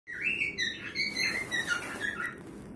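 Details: Cockatiel; song; courtship, singing to its mate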